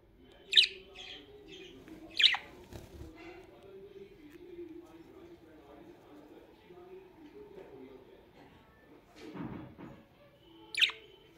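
A budgerigar gives a few short, sharp chirps over a steady low indoor hum.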